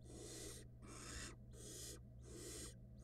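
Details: Barn owls on a nest-box camera during a food pass, with the male handing prey to the female, who hands it to a nestling that swallows it quickly. Four long, harsh, rasping hisses come in steady succession over a constant low hum.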